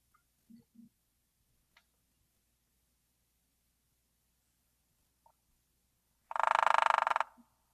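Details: A Hairy Woodpecker in the Sierra Nevada gives one very fast, even drum about a second long, distinct from sapsuckers, a dense rattle of rapid strikes preceded by a few faint knocks.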